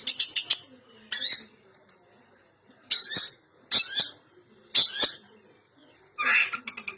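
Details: Lure recording of a long-tailed shrike in energetic song: loud, harsh, rasping high notes delivered singly every second or so, with a faint low murmur between them.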